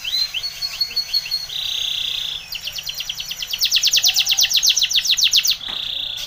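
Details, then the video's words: Training song of a Spanish Timbrado canary: a buzzy trill, then a sustained ringing tone, followed by a long loud run of rapid clicking notes and another steady trill. "Timbrado canary's most powerful song for training"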